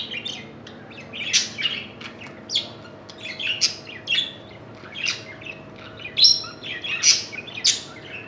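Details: Caged budgerigars mating, giving bursts of high, scratchy chirps and squeaky chatter in irregular clusters, with a faint steady hum behind.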